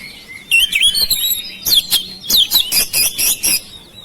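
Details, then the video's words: Household oriental magpie-robin (kacer) song used to prompt mute birds into singing: a rising whistle, then a run of harsh, rapid chattering notes. "KICAUAN KACER RUMAHAN MEMANCING SUARA KACER YANG BISU MACET"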